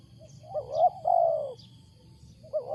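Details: Wild spotted dove, loud and unusual coo: one phrase of a rising, wavering note into a long, descending low coo, then the next phrase begins at the end.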